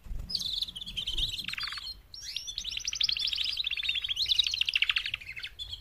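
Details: Mating call of four female canaries, aimed at motivating males to louder singing. A long, steady stream of rapid pulsed trills sits high, broken by one short pause and preceded by a few low rustles.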